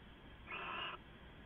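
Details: Owl calling near midnight on 2 September 2014, from a live nest camera: a single harsh, hissy rasping burst lasting about half a second, noisy and broadband, over a quiet steady background hum.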